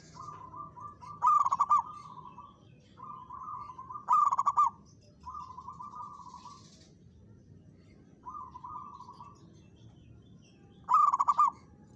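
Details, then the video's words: Local zebra dove, a caged songbird, singing loudly to challenge a rival: phrases of rapid rolling coos near one pitch, each about a second long, some opening with a sharp accented note, separated by short pauses. "perkutut lokal gacor menantang lawan ikut bunyi!!"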